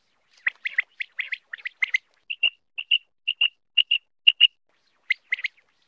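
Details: Common quail played for hunting. Clipped chirpy notes in quick clusters give way to evenly spaced paired whistled notes repeated about twice a second, then return to brief chattering clusters. The background is otherwise silent.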